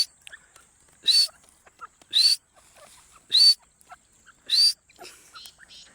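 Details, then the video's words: Partridge calling as a hunting lure: four loud, harsh, hissing bursts, each with a brief sharp rising note, repeated about every 1.1 seconds, with faint soft chirps between them. "teetar ki awaz"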